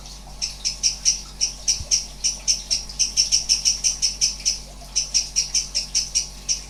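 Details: Sooty-headed bulbul (cucak cungkok) producing strange sounds in 'nembak' style: a sustained series of short, high, ringing pulses, about four per second, with only one brief break.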